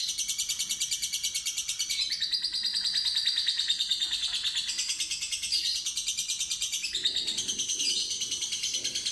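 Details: Fighter lovebird singing a long ngekek ngetik trill while being tested with a lure to lengthen its song: nine seconds of continuous rapid high chatter, regular pulses with brief whistled slides, some faint low rustling near the end.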